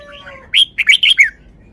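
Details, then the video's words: Caged red-whiskered bulbul showing its song phrasing: faint steady whistled tones open, then five short, bright warbled notes in quick succession, loud against a quiet background. "นกกรงหัวจุก 1038 จ้าวมาดี สำนวนดี"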